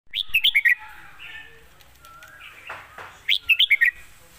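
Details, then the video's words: Red-whiskered bulbul song, praised for good phrasing and called a rising-star bird: two bright bursts of four or five quick, warbled whistled notes, separated by quieter chattering and soft background rustles. "สำนวนดี ปากเบานกดาวรุ่ง"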